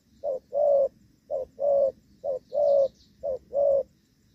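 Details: Gù vấp coo of a spotted dove kept as a decoy for rainy-season trapping in Vietnam: four paired low notes, a clipped coo then a longer rounded one, with a faint high chirping trill in the background.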